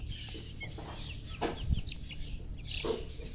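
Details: Thirsty chicks make a few soft high chirps sliding downward, mixed with thumps and clatter, over a low hum.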